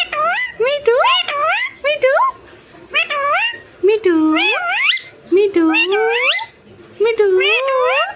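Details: Talking parrot kept as a pet imitating human voices, producing bursts of chattering, nasal, speech-like syllables with bending upward slides, several phrases separated by short pauses, indoors with little background noise.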